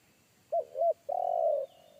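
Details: Deep-voiced wild forest spotted dove of the 'kuk satu' style, a bass caller that frightened a trained decoy dove: two short hollow coos followed by one long, low, rolling purr.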